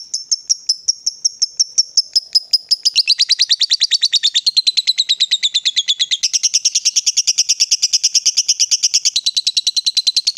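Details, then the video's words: An excited, provoked lovebird in long ngekek chatter, a rapid unbroken stream of high scratchy notes, about three per second at first and quickening, pitch shifting down and back up, sustained throughout. "Lovebird diam langsung Nyambar, Emosi Naik Gacor Ngetik Lanjut Ngekek"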